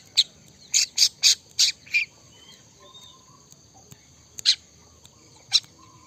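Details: Cendet (Long-tailed Shrike) singing in the trotol gacor style: a quick burst of five harsh, sharp notes in the first two seconds, then two lone notes several seconds apart against a quiet background.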